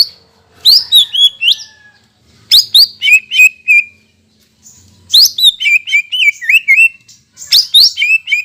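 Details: Greater green leafbird singing strongly, used to encourage birds after their moult: four phrases of bright whistles, each opening with a high sweeping note and then dropping into quick, wavering chirps.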